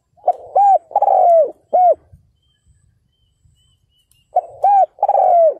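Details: Decoy spotted dove set on the ground to lure wild males, 2022. Two loud phrases, each of short hollow coos and a drawn-out falling final coo, separated by about two seconds of quiet.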